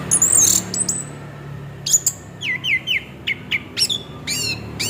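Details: Orange-headed thrush singing in rolling style, used as a lure to prompt singing: high thin whistles followed by a run of clear downslurred notes repeated in short separate bursts, with faint low hum behind.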